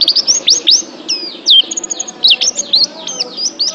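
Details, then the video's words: High, thin oriental white-eye song meant for training pet birds: looping, slurred whistles and sharp upswept chirps, delivered in uneven bursts with short silences. "TERAPI MENTAL PLECI ♫ DIJAMIN PLECI ANDA JADI JUARA ♫ Kicau Burung"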